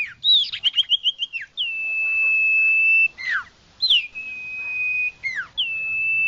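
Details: Iora song: a stuttering run of quick chirps, then long steady whistles, each ending in a sharp downward slur, repeated.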